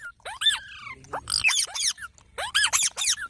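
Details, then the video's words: Young parrots calling with rasping squeaks and arched, whining notes, in two clusters of rapid calls separated by a short pause. "Baby Parrots Sounds"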